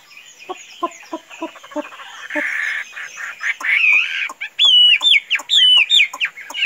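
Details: A tame kept Chinese hwamei, said to be calm enough to free-range without flying off; a series of dry clicks and a rasp lead into strong, repeated whistled phrases.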